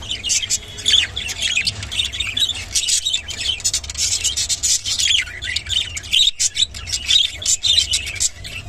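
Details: Rainbow budgerigar chattering nonstop, fast scratchy chirps and squeaky warbled notes tumbling together with barely a pause.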